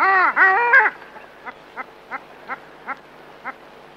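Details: A long-tailed duck (Clangula hyemalis) gives a loud, nasal, yodelling hooting call of three rising and falling notes, followed by softer short notes repeated about every half second.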